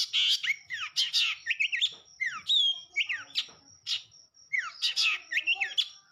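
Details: Long-tailed shrike in vigorous song, mixing loud harsh chattering bursts with clear swooping whistles that slide down and up, delivered in fast varied phrases with short gaps.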